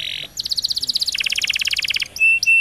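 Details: Canary in a lure recording to prompt silent canaries to sing: a buzzy note, then a very fast, even trill that steps down in pitch partway through, followed by short steady whistles.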